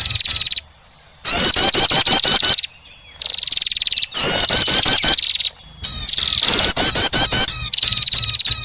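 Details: Prinia trapping lure: bursts of fast, sharp chirps over a high even buzz, separated by near-silent gaps of about half a second.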